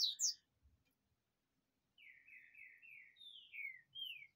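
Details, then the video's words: A captive double-collared seedeater sitting out in the sun gives two sharp high chips, a pause, then a fast run of slurred, buzzy notes that dip and rise, closing higher and brighter. "Rachinha de Coleiro"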